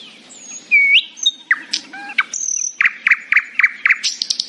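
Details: Nightingale singing happily in the morning: varied phrases of pure whistles, a sweeping rise, buzzy notes, then a fast run of repeated loud chirps about five per second, ending in high trilled notes.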